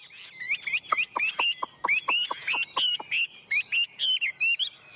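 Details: A tame Chinese hwamei sings a rapid run of loud, clear whistled notes, about three per second, many sliding upward with sharp chipping accents, with no other sounds.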